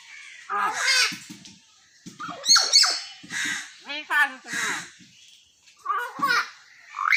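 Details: Common hill myna kept as a pet, talking in a series of speech-like phrases with buzzy, harmonic syllables and sharp squeaks, broken by brief silences; low clicks underneath some phrases.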